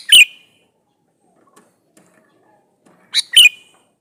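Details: A male sooty-headed bulbul calling a female, two bubbly phrases about three seconds apart, each ending in a short whistled trail, with quiet in between.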